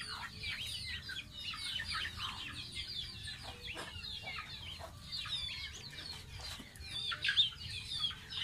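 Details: Domestic goose chick, a pet, during its bath: continuous high, thin peeping with falling and arching notes, steady throughout and a little louder and sharper toward the end.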